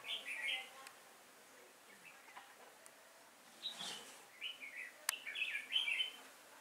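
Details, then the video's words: Decoy red-whiskered bulbul singing to draw wild bulbuls toward a trap, October 2018. Short, scattered, chirpy phrases come between quiet gaps, with a sharp click midway. The last seconds bring a busier cluster of warbled notes. "Bẫy chào mào Nết chơi siêng cánh lăng xăng"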